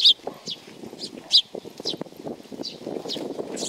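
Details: Sparrows arriving to be fed at a Tenmangu shrine on Nakanoshima, June 7, 2020: a few loud sharp chirps, then softer ones, over low murmuring and scuffling noise.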